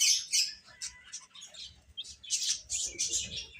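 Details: Baby hens eating and playing give quick, shrill, irregular chirps, roughly three per second, in short bursts.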